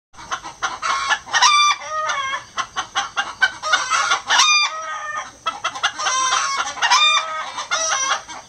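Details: A gold Sebright bantam rooster, after joining a hen's egg song, hops onto a roof and gives a run of high, thin, strained crows in quick succession, with short clucking notes between them.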